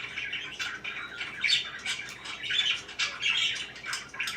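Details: Softer parakeet chirping, a continuous murmur of scratchy high chatter with a few thin whistled squeaks, no single call standing out strongly.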